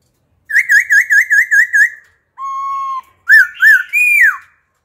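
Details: Laughingthrush, a mature wild-caught bird, switches wild-style phrases to coax young birds into singing: six rapid looping whistled notes, a long steady pure whistle, then loud rising-and-falling slurred whistles ending in a downward swoop.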